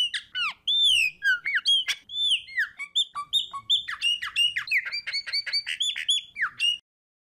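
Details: Chopi blackbird of the 'fumaça' type singing a fast, varied run of loud clear whistles, sharp downslurred notes and clicks, packed closely without pause for nearly seven seconds, then silence.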